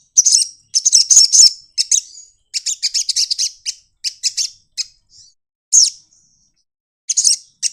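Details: Wing-opening sunbird singing 'nyepion' style: bursts of hurried, shrill chattering notes broken by short pauses, with one thin trailing note mid-way and a final quick burst.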